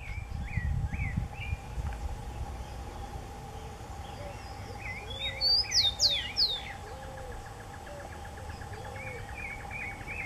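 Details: Rufous-collared sparrow song: short, slurred whistles repeated at first, then a burst of high, steeply falling notes and a soft trill, with lower whistles from another bird and a constant hum behind.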